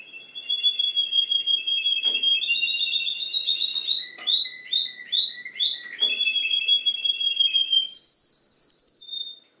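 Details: Canary song mimicking other birds: a sustained warbling whistle, then a run of repeated rolling, down-curving notes about twice a second, returning to a steady tone and ending on a higher, rising trill.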